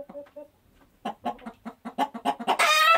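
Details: Chicken clucking, a run of short rhythmic clucks that builds in loudness and ends in a harsher, drawn-out squawk, used as a sound to attract chickens.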